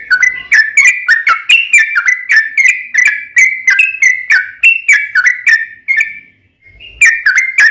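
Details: Yellow-vented bulbul, a lively singer used as a lure to make other bulbuls answer, giving a long run of rapid whistled notes around two kilohertz, each with a sharp click, repeated about three times a second with a short gap near the end.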